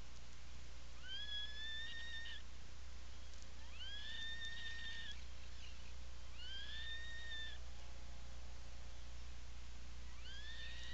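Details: From a puffin burrow on Seal Island National Wildlife Refuge, Maine, 17 July 2018 afternoon: an Atlantic puffin gives four upswept, sustained whistled calls roughly every 2.5 seconds, plus one faint low wavering arc, over a steady hum.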